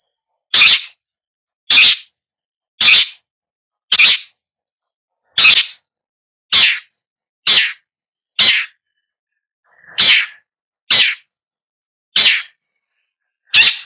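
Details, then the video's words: Long-tailed shrike giving loud, harsh, rasping single notes spaced roughly once a second, each a broad burst of noise, with silence between them. "Long-tailed Shrike Bird Song, Sound, Call, Chirp, Melody"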